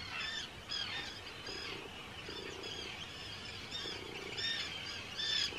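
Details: Hundreds of Arctic terns calling at a breeding colony on Rottumerplaat in the Netherlands, 4 June 2023; harsh, high rasping calls repeated in quick bursts roughly once a second over a steady background chatter.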